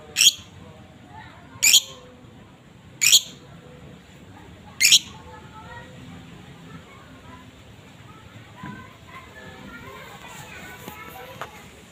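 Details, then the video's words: Asian fairy-bluebird singing: four short, sharp, bright bursts spaced one to two seconds apart over the first five seconds, then quieter, scattered faint notes and a soft background murmur. "blue bird gacor teler"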